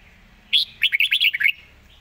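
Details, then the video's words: Red-whiskered bulbul delivering one rapid zone-style phrase, a fast-mouthed rolling song: a bright opening whistle, then about seven quick clipped notes that fall slightly in pitch, all within a second. "สายเพลงโซนห้ามพลาด"ทีเด็ดเพลงโซนปากไว เพลงรัวๆ"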